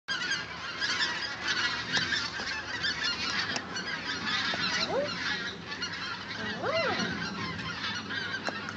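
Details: Huge migrating flock of common cranes, filmed on a Panasonic NV-GS11 camcorder; a dense, continuous chorus of overlapping trumpeting calls, with a few clear rising-and-falling notes standing out near the end.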